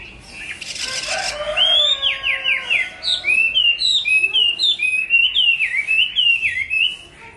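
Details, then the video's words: Hwamei song after a brief noisy rustle: a fast cascade of descending whistles, then a long steady string of looping, up-and-down whistled notes, nearly four per second. "tiếng hót hay nhất của chim họa mi phần 2 | The beautiful song of the nightingale part 2"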